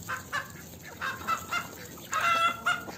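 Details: Chicken in the farmyard giving spaced clucks, then a louder, longer cackling note near the end, with constant background hiss.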